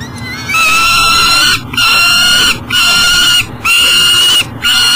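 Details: Peregrine falcon at a nest box beside the Mississippi River, Minnesota, trying to deliver breakfast at 7 am in July 2012: loud, level, ringing wails in a steady series, each about a second long.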